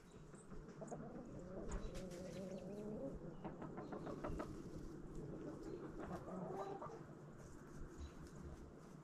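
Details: Backyard chickens feeding on a pumpkin in fall, giving soft low clucks and drawn-out murmuring calls amid pecking taps and a steady background hum.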